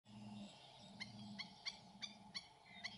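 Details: Two black-necked stilts defending their feeding site from another pair, with no nest nearby, give sharp, harsh yips repeated about every third to half second, each a short clipped note, over a steady low hum.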